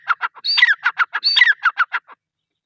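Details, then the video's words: A short burst from a female grey francolin: a string of clipped notes broken by two higher, slurred, down-curving whistles, ending in silence. "Teetar sound | female teetar ki awaz | gray franclin teetar sound | teetar awaz | teetar ki boli"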